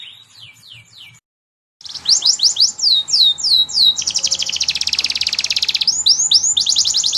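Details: Canary singing vigorously as tutor song for young canaries: high, sweeping downward whistles in quick series, a brief pause, then a dense fast buzzing trill and more swooping notes, with a faint steady hum underneath.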